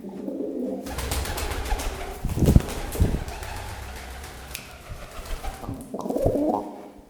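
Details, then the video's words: A male pet pigeon coos while hopping down stairs indoors; the faster he jumps, the faster he coos. Low, soft coos come in short bursts around the middle and near the end, over broadband thumping and rustling from the hops in a small room. "Latte the pigeon sound effect when he does stairs"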